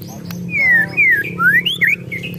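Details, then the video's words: Agitated white-rumped shama, ketrekan: a few loud clear whistles slide downward and upward in quick succession over a steady low hum. "ketrekan murai emosi"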